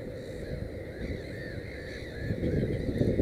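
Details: Black-headed gull at a nest holding three chicks, giving a run of brief arched calls one after another over constant low-pitched background rumble that grows louder toward the end.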